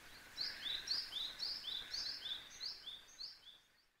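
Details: Eastern spot-billed ducklings with their mother, filmed on 21 May 2023, give high, thin, down-slurred peeps, about four a second, over a steady outdoor hiss.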